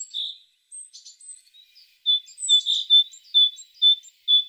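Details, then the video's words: Tit singing: a run of short, bright notes at even spacing, a few thin scratchy chirps at first, then clear whistled syllables repeated about every half second. "The sound of a tit singing"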